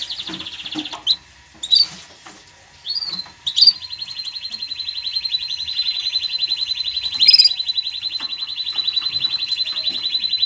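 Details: Canary song used to train chicks and arouse females for mating: scattered chips and short upswept notes, then a long, sustained, evenly pulsed high trill, interrupted once by a brighter, sharper burst.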